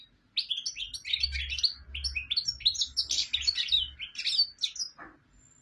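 A goldfinch sings a fast, continuous jumble of bright twittering notes and tinkling trills, high-pitched and liquid, with short buzzy phrases mixed in.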